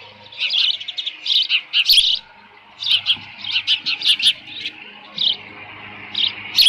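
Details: Osprey calling at its nest at Dunrovin Ranch, 13 June 2018, late morning near 11:37, leftover fish at the nest. Shrill piping chirps come in short runs of four to six notes, separated by brief pauses, with a steady low hum behind.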